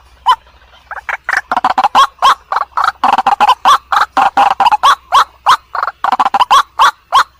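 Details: White-breasted waterhen calling as a nighttime lure: a quiet start, then a steady run of short, harsh croaks about three per second, some with a brief upward-bending twang, over faint low hum.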